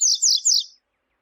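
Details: Double-collared seedeater of the tui-tui song style, with a female calling, played to warm up and stimulate males: three loud, buzzy, high notes, each sliding downward, given in quick succession over under a second against a silent background.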